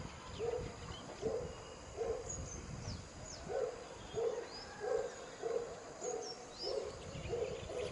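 Western swamphen giving low, soft hooting notes repeated about every three-quarters of a second, with faint high chirps of other birds behind.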